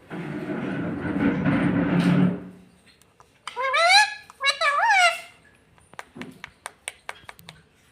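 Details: Pet parrot mimicking speech: a stretch of broad muffled noise, then two bursts of warbling, harmonic, voice-like phrases with bending pitch, followed by scattered clicks and taps.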